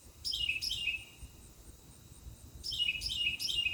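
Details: Mockingbird gives two bursts of sharp descending whistled notes, two or three per burst, separated by a quiet gap, light background noise.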